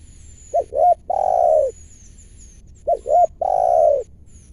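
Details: A spotted dove at a trapping site, possibly a wild bird drawn in to a lure, gives a soft, low cooing phrase: two short coos then a long drawn-out coo, repeated about every two and a half seconds.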